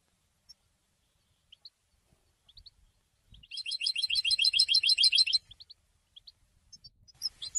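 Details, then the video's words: Goldfinch announcing its presence in song: sparse high chips, then a brisk, steady, ringing trill of rapid repeated notes for nearly two seconds, followed by more scattered twitters and a sharper final burst. "Golden songs for goldfinch voices"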